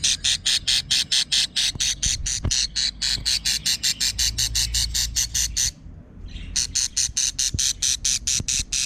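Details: Quarrelsome young budgerigars produce rapid rasping chatter, scratchy bursts repeated more than twice a second with a brief pause near the end before the series resumes; a few soft clicks in the background.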